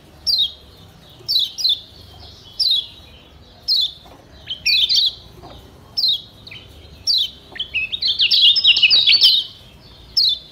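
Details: Caged yellow white-eye from Lombok, known locally as kecial kuning, in a master track for teaching song; clear high slurred whistles falling in pitch, spaced irregularly, then a rapid chattering warble before a final whistle.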